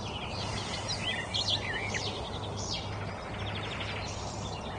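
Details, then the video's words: Birdsong outdoors: a lively burst of warbled, looping high notes followed by fainter rapid trills, set against a steady low hum and broadband background noise. "Birds Chirping"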